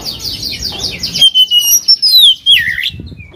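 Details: Oriental magpie-robin song used to provoke a rival to sing: rapid buzzy repeated notes, then one long clear whistle that falls and ends in a swooping slur, with a faint rustle after it.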